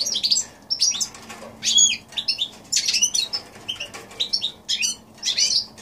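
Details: Hybrid of goldfinch and canary, January 2016, giving separated bursts of high chirps and twittering phrases, each lasting under a second, with short gaps between them.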